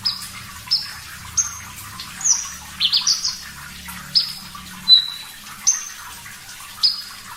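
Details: Javan bush lark, a clear-voiced master recording for training songbirds: sparse, thin, high whistled notes, single or in quick doublets, spaced about a second apart over a quiet, faintly humming background.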